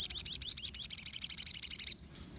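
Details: Crimson sunbird trill intended to make other sunbirds respond: nearly two seconds of loud, high, rapidly repeated notes, about eighteen in all, accelerating after the first few, then silence.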